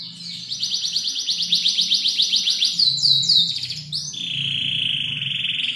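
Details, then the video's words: Canary song used as a training recording for other songbirds, continuous high trills of rapid repeated notes, sliding whistles, then a long steady buzzy roll, with a faint low hum beneath. "KENARI SUPER MEWAH, GACOR DOR"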